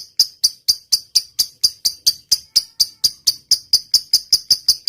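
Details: Lovebird singing actively in the long 'ngetik' (typing) style, used as a master recording to get other lovebirds singing: sharp, high, clicking chirps repeated steadily about four times a second in a long even series, with no other sounds.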